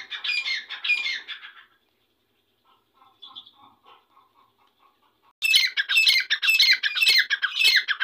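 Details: Irani dakni teetar, a grey francolin: raspy squawk phrases, then a quiet stretch of soft, evenly spaced clucks, before a loud, fast series of grating calls returns.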